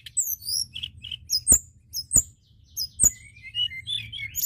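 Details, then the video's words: White-browed shortwing song used to lure other birds: high squeaky slurred notes in loose phrases, three sharp clicks, then a thin rising-falling warble, over a low hum. "Pancingan tledekan Gunung Gacor!"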